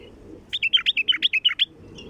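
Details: Bulbul call used to attract wild bulbuls: a rapid series of about ten clear, bouncing chirped notes in quick succession, alternating higher and lower, lasting about a second.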